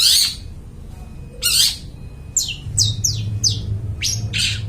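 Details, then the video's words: Long-tailed shrike in clear song for luring forest birds: a few harsh squawks, then a quick series of descending whistled slurs, with a low hum throughout. "cendet gacor, suara plong bening cocok buat pikat burung dihutan"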